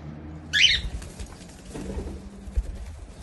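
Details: A pet cockatiel at play gives one quick, bright chirp that sweeps up and down, then only a low background hum remains.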